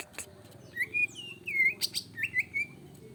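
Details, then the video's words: Greater green leafbird singing emotionally, as used to provoke other birds. Brief, slurred, whistled notes come in short clusters over a faint background hum. "Pancingan cicak ijo emosi"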